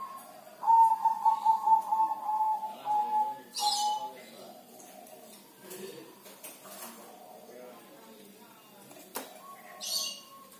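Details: Zebra dove, a kept bird, in the rainy season when it sings rarely; a run of quick pulsed, throaty coo notes for about three seconds, then scattered clicks, rustles and faint voices.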